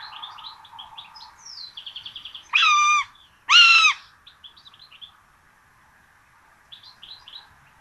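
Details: Common buzzard nest in Tiszalök, Hungary, filmed 26 June 2022 as twin chicks get a rabbit for breakfast: soft rhythmic high peeps, then two strong nasal mews in quick succession, then more faint chirping over a background hum.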